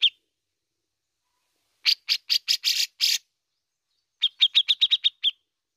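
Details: Energetic bearded bulbul, known locally as cucak jenggot, in besetan and ngepik song: a single high note, then a burst of five harsh, broadband chattering notes, a short gap, and a quick series of eight clear repeated chips.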